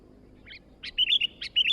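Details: Newly acquired sooty-headed bulbul singing briskly: a faint double chirp, then a burst of short, bubbly, warbled notes rising and falling, with quiet background hiss.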